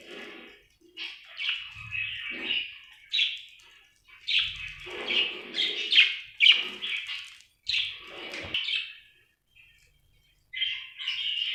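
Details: Happy budgerigar chattering in quick bursts of scratchy, buzzy chirps, about two a second, with faint low thumps and a near-silent gap before a final short burst.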